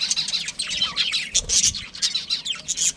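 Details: Budgerigars, a breeding pair within a colony, chirping continuously in dense, overlapping high twittering bursts with scratchy warbled notes, many birds calling at once.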